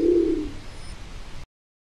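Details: A single brief, low, gruff coo from a Nicobar pigeon at the very start, followed by a faint hiss.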